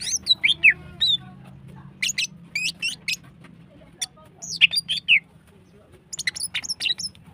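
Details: Female greater green leafbird in heat, singing to excite other birds: groups of sharp high chirps and quick slurred whistles in short bursts separated by brief gaps, with a soft hum behind.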